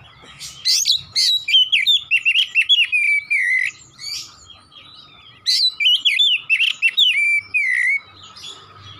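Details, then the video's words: Oriental magpie-robin singing constantly in the 'nembak' style: two loud bursts of fast, varied whistles and chattering notes with short sliding phrases, separated by a brief pause, over a low steady hum. "KACER GACOR NEMBAK NEMBAK"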